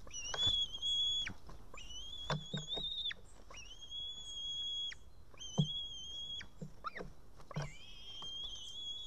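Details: At an Estonian White-tailed eagle nest on 8 June 2018, around midday, the male comes back after ringing carrying a fish, later lost. A series of drawn-out high piping whistles, some rising at the start, broken by short knocks and clatter.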